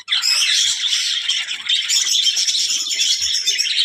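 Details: Several budgerigars said to be talking keep up loud, unbroken warbling chatter, with scratchy squawks and quick chirps layered throughout.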